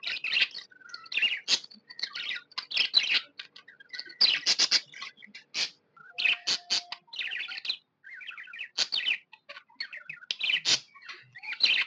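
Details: Happy pet budgerigar chirping: dense bursts of buzzy, scratchy notes mixed with quick warbled whistles, broken by short pauses, high-pitched throughout with no other sounds.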